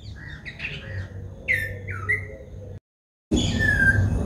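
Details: White-bellied drongo in Sri Lanka calling with short slurred whistles and a few chirpy notes, followed by a brief silence and then a fainter whistle amid louder background noise.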